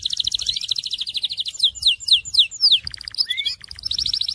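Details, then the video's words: Syrian canary beginning mid-trill, then giving a series of loud downward-swept whistles, a patch of chattering notes, and another rapid trill. "تغريد كناري السوري"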